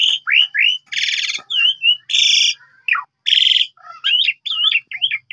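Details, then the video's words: Asian pied starling lure song for encouraging other birds to sing; curling whistled slurs broken by loud harsh rasping bursts, ending in a run of wavering looping whistles. "Pancingan Jalak Suren Ampuh Pagi Siang Malam Full Gacor"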